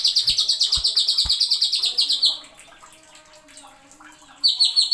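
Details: Cucak ijo, the greater green leafbird, in a masteran tutor recording. It opens with a rapid string of piercing, evenly spaced high notes in the 'nembak' style with sharp 'isian', goes quiet for about two seconds, then resumes. A few low thumps are heard early on.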